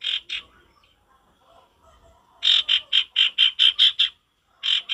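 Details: Male sirtu in a lively natural-forest recording delivers rapid series of loud, rasping notes, about eight in close succession after a brief quiet gap, with a few more at the start and end.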